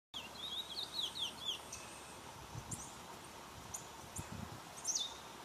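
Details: Chestnut-bellied seed finch (curió) singing: a run of quick, sweet whistled slurs in the first second and a half, then scattered higher chirps and one sharp whistled note near the end, over a soft steady background hiss.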